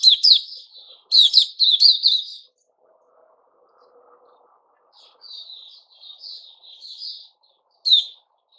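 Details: A Puteh Raja, the white-crowned shama, in its season of new feathers, gives loud staccato bursts early on. Near silence follows, then a run of softer, fluty whistled notes and one final sharp note.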